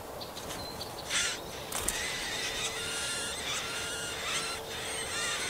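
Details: Marsh warbler chicks at a nest in shrubs and nettles in a Yekaterinburg forest park, 30 June 2020, while an adult feeds them; long, harmonic, wavering high calls with short noisy bursts and a steady low hum.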